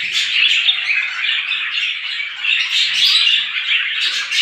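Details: Morning twittering of small birds, a loud close chorus of high, bright, rapidly repeated chirps and thin whistled notes overlapping continuously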